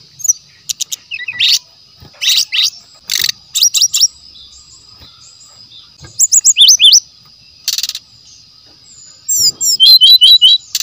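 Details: Song of a wild forest brown-chested jungle flycatcher, recorded as lure material: clusters of sharp rapid chips and buzzy bursts alternating with quick rising whistles, over a steady high-pitched hum.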